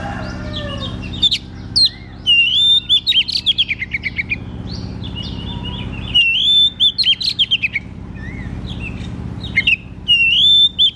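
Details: White-rumped shama song played to coax a quiet shama into singing: loud rapid chip series and clear whistled phrases, sharp high notes repeated in bursts with brief pauses, low hum underneath.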